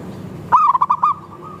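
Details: A single crisp phrase from a local zebra dove: a quick run of five or six purring coos, then fading cooing from other doves. The song is used to prompt other doves to sing.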